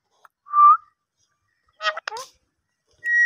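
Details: A talking parrot gives a clear, steady whistled note, then a couple of fast speech-like syllables after a pause, and ends on another sustained whistle.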